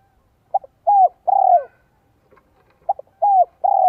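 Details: Spotted dove used as a decoy to attract wild doves, 'giọng son 1 cốt lỡ' style: two phrases about two and a half seconds apart, each with short introductory notes, a gliding coo and a rolling, pulsed final coo.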